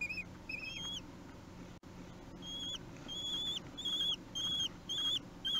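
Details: Begging common kestrel fledglings three weeks old, fed at the nest in Théding, France, 8 June 2021: short high whistled squeals, slightly rising then level, repeated roughly twice a second after a brief pause.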